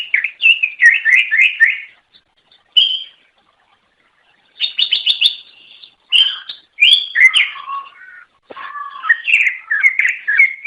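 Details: Greater green leafbird singing to lure others of its species: rapid repeated chirp series, a pause, a fast rattling trill, then a varied stream of whistled and mimic-like phrases.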